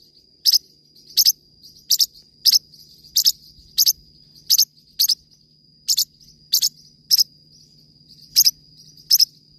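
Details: Forpus parrotlet singing: sharp, very high double chirps repeated about every 0.7 seconds in an uneven rhythm, over a steady thin high-pitched whine.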